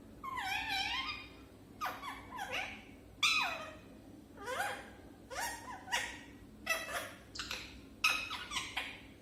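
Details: Speaking for the first time, a parrot produces a series of voice-like phrases with clear tonal inflections, some rising and some falling, spaced roughly a second apart, with soft breathy noise between them.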